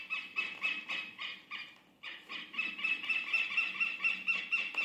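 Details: Southern lapwing (quero-quero), vigilant over open green grassland and calling at the movement of strangers: harsh, strident calls about twice a second in bursts, a brief pause, then a faster, steadier run of shrill notes.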